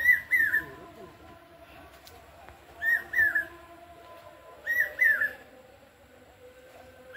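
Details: On the morning of Saptami during Durga Puja, a common hawk-cuckoo (chokh gelo bird) calls again. Three loud whistled phrases of three rising-falling notes come at intervals of nearly two seconds over quiet background hum.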